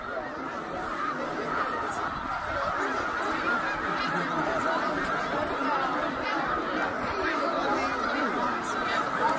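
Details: Migrating snow geese massed at Middle Creek, Pennsylvania, 2023: an unbroken mass of shrill, yelping honks, fairly even in loudness, with individual calls lost in the overall din.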